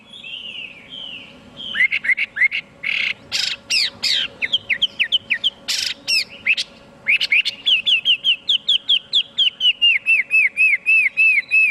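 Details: Chinese hwamei opens with soft warbled phrases, then loud harsh buzzy bursts, followed by a fast regular series of short downslurred whistles, about four per second, toward the end.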